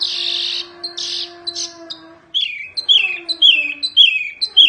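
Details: Oriental white-eye, the wambi mini variety, singing fiercely as tutor song for training other songbirds: a few buzzy high notes, then a run of sharp downslurred whistled chirps repeated about twice a second, with a faint low steady hum.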